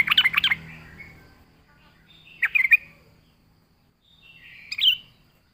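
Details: Lively yellow-vented bulbul song, recorded for luring birds, delivered in three separate bursts about two seconds apart. A bubbling, warbled phrase opens, followed by two shorter chortling phrases, with quiet low rumble beneath.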